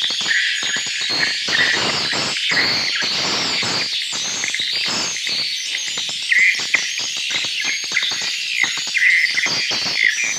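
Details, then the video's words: Calls of Kalimantan swiftlets recorded inside an established swiftlet house: many overlapping high, buzzy chirps and rapid clicks, forming a steady, hissing chorus with occasional louder squeaky notes. "Suara Panggil Burung Walet Kalimantan"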